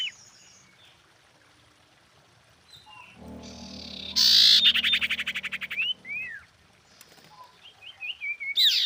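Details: Female common iora calling a male: after a quiet start with a low hum, a loud rasping rattle of fast pulses, then scattered slurred whistled chirps.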